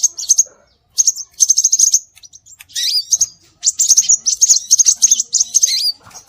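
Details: Scarlet minivet calls used as a bird lure: dense bursts of high, sharp chirps and short whistled notes with quick pitch sweeps, in rapid clusters with brief pauses between.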